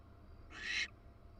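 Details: A wild female barn owl at her nest in Florida, at the University of Florida, has just laid her second egg; caught on a live nest camera. One harsh, hissing screech lasts about a third of a second over a low hum.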